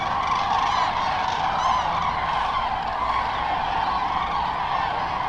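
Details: Large numbers of Common Cranes at Lac du Der-Chantecoq, France, coming back to the lake to roost in late afternoon on migration. Loud, steady chorus of overlapping trumpeting and rolling calls throughout.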